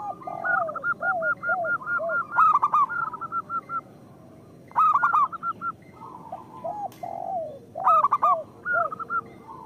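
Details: Zebra dove lure song from local birds: long series of rapid staccato coo notes overlapped by lower, bending coos, broken by three loud bursts of rolling pulsed coos.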